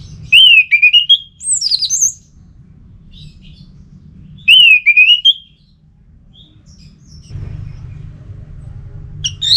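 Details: Ngeplong song of an orange-headed thrush, used to make a dull thrush respond and sing: two bright phrases of slurred, wavering whistles that dip then rise, separated by a silent gap, with steady low background rumble.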